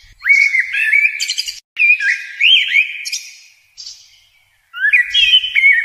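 A sunbird gives quick, thin, high whistled notes that slide up and down, in three bursts over about six seconds, with brief pauses between.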